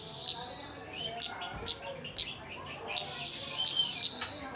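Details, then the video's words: Kemade sounds meant as a lure so a bird starts singing fast: piercing high clicks spaced roughly every half second to a second, with faint higher trills and slurred notes in the gaps. "Pancingan kemade bahan agar cepat bunyi"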